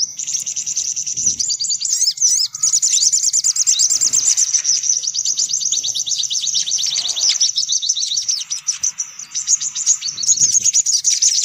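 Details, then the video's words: Sunbirds chattering noisily, a lure sound to bring in sunbirds: a sustained, dense stream of very high, rapid twittering and trilled notes with occasional faint thumps. "Suara Pikat Burung Kolibri Paling Manjur || Sogok Ontong Ribut"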